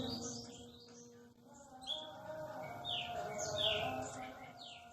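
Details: Aceh white-rumped shama (murai batu Aceh), a bird called rare with a very sweet voice, giving a varied run of high whistled phrases and falling slurs, with a steady humming tone and faint low noise underneath.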